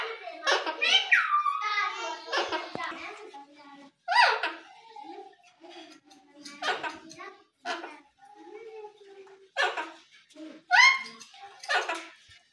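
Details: Talking rose-ringed parakeet, a pet bird indoors, mimicking human words in a series of short, harmonic, speech-like bursts with sharp high syllables, some rising and falling, separated by brief pauses.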